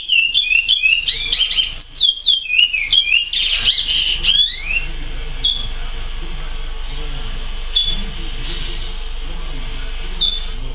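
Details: Chestnut-bellied seed finch in praia song: a dense burst of quick, bright, downslurred whistles for about four seconds, then single sharp whistled notes spaced well apart over a steady low hum.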